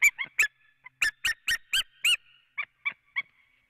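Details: Wild female white-tailed eagle calling near her nest in Latvia on an early March evening in 2017, giving loud, clipped yelps in an uneven series, with a few softer notes trailing at the end.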